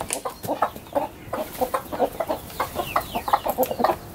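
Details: Garden flock of chickens let out of the coop in the morning, many birds giving rapid, overlapping short clucks and murmuring calls, a few higher squeaky notes mixed in.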